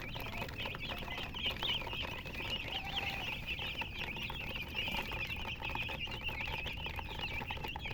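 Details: Many colour chickens peep steadily in an unbroken chorus of thin, high chirps. Faint pattering and scratching run beneath the calls throughout.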